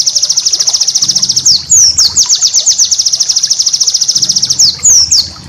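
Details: For tutoring cage birds, a white-eye master song: long, steady, rapidly repeated high pulsed trills broken by short bursts of sharp downslurred twitters, over faint low hum.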